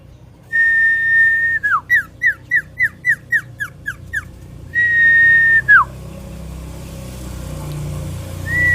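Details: Sirtu fighter common iora giving a long, flat whistle that ends in a downward slur, then about ten quick downslurred notes. A second long falling whistle follows. Low steady hum underneath.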